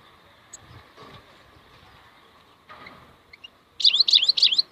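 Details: Wild European goldfinch: near silence with a few faint high notes, then a loud, bright twittered phrase of swooping notes repeated three times quickly.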